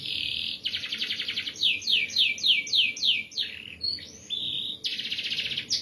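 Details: Canary in full song, recorded for training other birds, with dense rolls and bursts: a buzzy pulsed trill, a run of swift descending sweeps, short whistled notes, then the rapid trill returns; background quiet.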